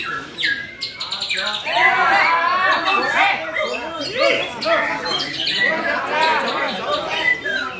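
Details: White-rumped shama (murai batu) singing in full 'gacor' style, dense with varied imitated phrases: a rapid, continuous run of warbling chirps, rising and falling slurred whistles and harsh squawky notes packed together.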